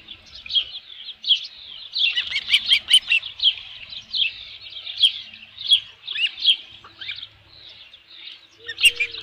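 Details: Midday on 27 June 2018, an osprey at its nest with a headless fish gives uneven series of sharp, high chirps, some rising quickly, with short gaps and a brief lower whistle at the very end.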